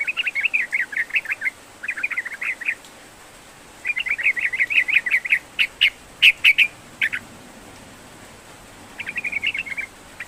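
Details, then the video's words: Sooty-headed bulbul singing vigorously, meant to stimulate a silent bird to sing: repeated fast bursts of clear chirps separated by short pauses, with some sharp accented notes in the middle and steady faint background hiss. "Kicau SUARA Trucukan GACOR Seperti Ini Cukup AMPUH Untuk Pancingan Terapi Trucukan Malas Bunyi"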